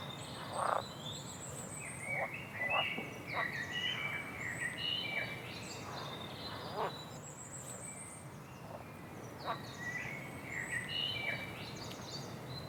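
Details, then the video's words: A bird sings: thin, high whistled notes and short chirps repeat and overlap throughout, some faint trills higher still, with a few brief broadband croaks near the start and steady background noise. "عصفور جميل يغرد A bird is singing"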